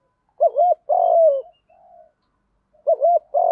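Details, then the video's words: Spotted dove giving a continuous field-voice fighting coo used to lure wild doves: a quick wavering double note then a long, slightly falling coo, a soft murmur between, and the phrase starting again near the end. "Chim cu gáy giọng đồng gù đấu liên tục dúp bổi ức chế rất cao"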